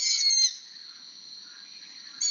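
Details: Long-eared owl chick calling, the sound surveyors listen for on still summer nights from May onwards on Irish bogs, carrying up to a kilometre; a drawn-out, squeaky, high whistled note held steadily for about two seconds, clean and without background.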